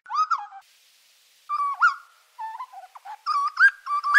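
A grey butcherbird gives rich, fluty piping notes with quick upward and downward slurs, in three bursts that quicken toward the end. The background is quiet.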